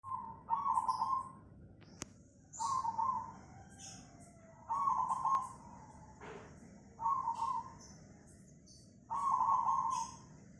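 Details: Zebra dove of the cemani type recorded in Tangerang, Banten, Indonesia, on Monday 24 August 2020: rolling, burry mid-pitched coos repeated every two seconds or so, with thin high chirps from other birds between them.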